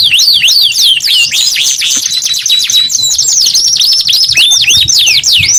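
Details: Kenari gacor canary singing vigorously: a continuous stream of quick high sweeping whistles and buzzy rolling trills with a thin steady tone running through, in a clean recording.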